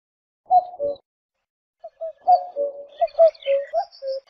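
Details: Cuckoo calling: one low two-note cu-coo phrase dropping in pitch, then after a pause several overlapping low hooting notes with faint higher bird chirps.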